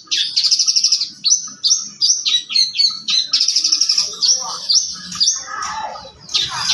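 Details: Young long-tailed shrike (cendet muda) delivering a busy, varied song of high chattering notes, rapid trills and short whistled phrases in quick succession, with softer lower scratchy notes near the end.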